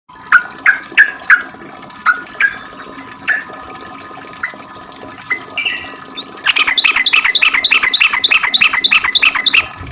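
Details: Sooty-headed bulbul in long continuous ropel song, used as a lure to make other bulbuls sing back: spaced sharp chirps at first, then a fast, even run of bright clipped notes after six seconds.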